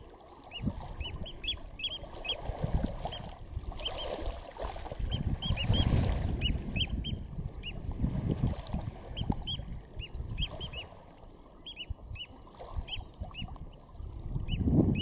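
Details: Eurasian oystercatcher chicks filmed close up at RSPB Snettisham, Norfolk, UK, on 19 July 2016: a long run of thin, high peeping notes, several a second, over low rumbling background noise.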